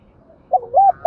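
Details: Spotted dove used as a decoy bird, cooing to call and lure other doves: a soft low note, then two loud, mellow, hollow coos, the second drawn out, in a quiet setting.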